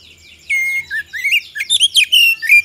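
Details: Oriental magpie-robin song used as a lure to prompt other birds to respond: a rapid run of clear, varied whistles and sharp chirps, with rising and falling slurred notes in quick succession.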